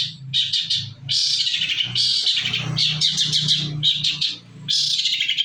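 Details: Shrike song played as a lure so other birds respond: dense bursts of harsh, scratchy high chatter broken by short pauses, over a steady low hum.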